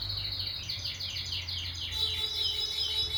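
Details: A canary sings a series of quick descending chirps that merge into a fast, high rattling trill over a low hum.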